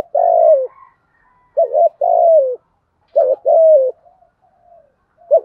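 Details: Low, earthy 'thúc gù' cooing from a spotted dove: long falling coos alternating with paired short notes, repeated three times with soft trailing murmurs between.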